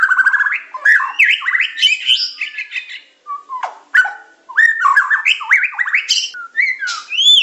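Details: Song of a Medan-type white-rumped shama, a training recording with pancingan, macet, tembakan and isian styles. Varied rich phrases of rising whistles and harsh chatters come in bursts separated by short silences, with sharp clicks between.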